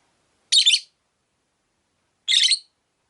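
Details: Rosy-faced lovebird, one of five kept in a cage by a window, giving two harsh, buzzy, high chirps about two seconds apart, each a short noisy burst with silence between.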